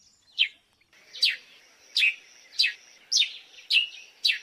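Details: Rapid series of sharp descending chirps from an African sparrow, nearly two per second, over a continuous thin high hiss in the background.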